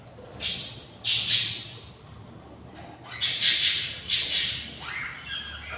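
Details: Nestful of six very hungry budgerigar chicks, 24 days along, raspy hissing screeches in short clustered bursts separated by brief quiet gaps.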